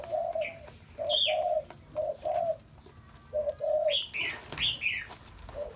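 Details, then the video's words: Spotted dove giving repeated low, rounded two-part coos, with sharp higher chirps and squeaky notes from other birds mixed in, especially near the end. "Chim cu gáy"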